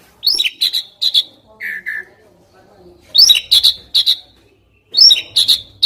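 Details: Asian pied starling song played as training material for songbirds: bursts of harsh, squeaky high notes and buzzy chatter in short phrases, with a pair of lower whistled notes between phrases and quiet background murmur.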